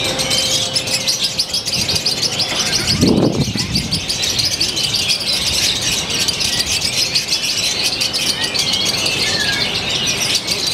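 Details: Lovebird song from Purwakarta, Indonesia, described as a new eccentric style with tightening pauses. Unbroken shrill, rapid twittering chatter, with a brief low thump near the third second.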